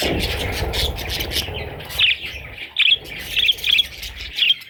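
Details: Baby parrot chicks giving short, high chirps that start after a quiet opening and then come in small bursts about every half second, over a soft background rustle.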